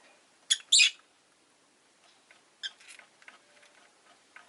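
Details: Rosy-faced lovebirds, five caged at a window in the afternoon, giving a loud doubled screech, then softer scattered chirps over a low hiss of street background.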